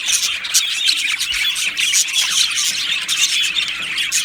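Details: Australian budgerigars in a colony aviary keep up short, dense bout of chirping: fast overlapping high twitters and squeaks, continuous and busy for the whole stretch.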